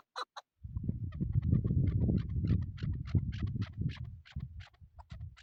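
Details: Hunting chukar partridge calling a string of sharp repeated chuck notes after two brief louder notes, partly masked by strong low-pitched rumbling from wind or handling.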